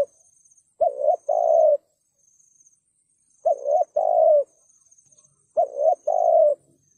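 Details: Spotted dove thúc gù cooing, used to provoke wild birds. Three evenly spaced phrases, each a quick hoot then a sustained coo, recur about every 2.5 seconds. A steady thin high-pitched tone underlies them.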